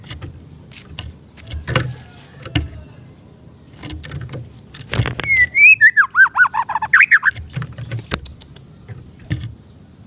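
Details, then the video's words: Oriental magpie-robin song meant for training young birds: after several seconds of knocks and background noise, a single wavering whistled phrase of looping notes that drops in pitch, then clatter. "MASTERAN ATAU PANCINGAN BURUNG MURAY BAHAN"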